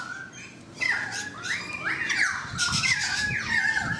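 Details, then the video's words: A currawong heard from a balcony gives ringing, gliding whistles that swoop up and down through mid pitches in a rolling phrase, with faint background noise. "The Currawong Song"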